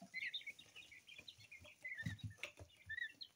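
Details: Mixed-colour coturnix quail chicks at two weeks old peep clearly, short high notes, some rising, repeated in a lively stream, with faint low knocks midway.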